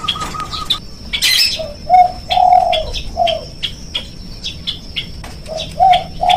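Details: Spotted dove calls from a lure recording for getting doves to sound off. Two rounds of low, rolling coos, each of three to four notes. Quick high chirps from other birds fill the gaps, and one sharp burst comes early.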